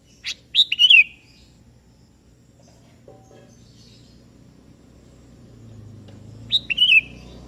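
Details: Kutilang kebo, a sooty-headed bulbul, calling out to a rival bird that answers back; two sweet whistled phrases about six seconds apart, each a short note then a falling warble, against a low background rumble.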